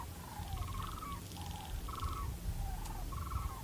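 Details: Migratory Sandhill Cranes back for winter, heard all around a homestead but unseen, give rolling trilled bugling calls about every second, some answering others at a distance, over a low rumble of background noise.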